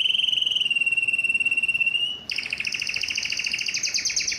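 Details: Yellow canary holding a pure whistled tone for about two seconds, then breaking into a fast buzzy rolling trill.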